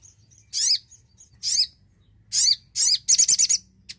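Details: Singing Javan cochoa used as a lure for beginner or silent birds: sharp downward-swept chirps about a second apart, ending in a quick rattling trill of five to six pulses.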